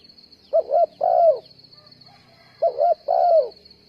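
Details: Decoy spotted dove used in trapping, cooing twice: a double-humped note then a longer falling coo, repeated once after a gap, with a steady high electronic whine and faint low buzzing behind.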